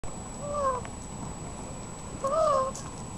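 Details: A peacock, an Indian peafowl, gives two short, nasal, mewing calls, each rising then dropping, about two seconds apart, over a low background rumble and a faint steady high whine.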